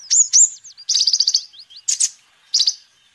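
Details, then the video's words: Vigorous sunbird singing for a bird-luring and song-teaching recording: two sharp high whistles, a fast run of clipped notes, then scattered thin slurs and brief chip clusters. "Kolibri Ninja Gacor"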